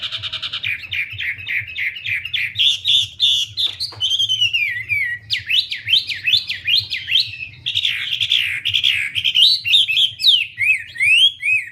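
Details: Vigorous Wambi song opening with rapid chip notes, then a long descending whistle and a run of sharp, zigzagging rising-and-falling whistles, over a steady low hum.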